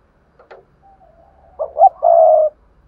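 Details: Lure spotted dove for prompting other doves to coo: a brief click, a thin soft drawn note, then one loud coo of two quick notes and a sustained hoarse final coo, faint low hum beneath.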